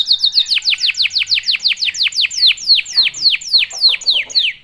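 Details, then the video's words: Canary singing to provoke other canaries into song: a steady series of clear downward-sweeping whistled notes, about three or four per second, later notes slightly slower and lower. "KENARI GACOR||038|| Jagonya memancing EMOSI kenari cepat bunyi."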